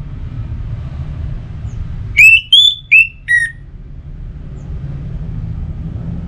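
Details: Orange-headed thrush pacingan song: four clear, pure whistled notes in quick succession, the first rising, the middle one higher and level, the last dropping, over a steady low hum.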